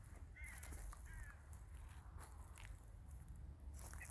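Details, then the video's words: Crows calling in a village in winter: two short, harsh, nasal caws close together near the start, then quiet, over a steady low rumble of wind or distant traffic and a few faint clicks. "the sound of crows"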